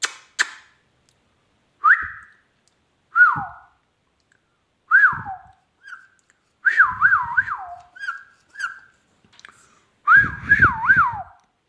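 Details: Pet ringneck parrot produces scattered short whistles, then bursts of quick warbling, wavering whistles that rise and fall several times, with soft rustling underneath.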